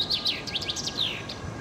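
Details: Common chaffinch at Södermalm in Stockholm: a run of bright descending high notes ending in a falling flourish, over a low city hum.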